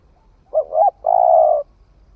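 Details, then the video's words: Spotted dove newly come into voice, tried in the forest: one low mellow phrase of a brief coo, a rising wavering note, and a drawn-out level hoot, with faint background rumble. "Tiếng chim cu gáy mới nổi thử rừng"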